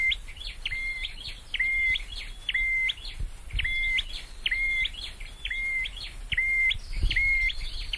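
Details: Caged Scarlet-headed flowerpecker in song training: a regular phrase of sharp, high upswept notes around a flat, level whistle, repeated about once a second through the whole stretch, over low background rumble and faint knocks.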